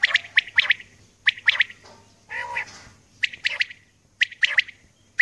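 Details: Early-morning calling of a female common quail: grouped rasping double and triple notes at irregular intervals, broken once by a lower, drawn-out harsh sound midway, over a faint background hum.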